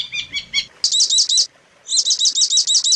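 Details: Long-tailed shrike on a recording made to teach songs to other shrikes: a few soft chirps, then loud looping high whistled notes in quick series, separated by a short silence.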